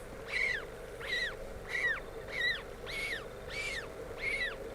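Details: African penguin chick calling from its nest at a Cape Town colony on a live cam, 20 July 2022, about 19:00 local time, while an adult preens it: thin, arched peeps one about every two-thirds of a second, unlike adults' donkey-like calls, over a low hum.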